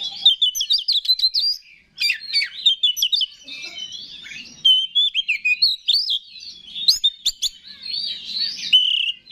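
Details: Rich, continuous song of an Oriental magpie-robin, used to rouse rival males: rapid scratchy chatter and sharp clicks mixed with clear whistled slurs, loud and varied throughout with brief pauses.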